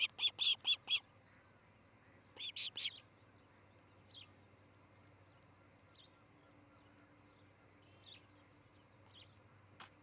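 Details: Osprey at its nest in Charlo, Montana, by nest camera on a July 2018 morning: two short clusters of rapid high piping chirps, then scattered faint squeaks over a low steady hum.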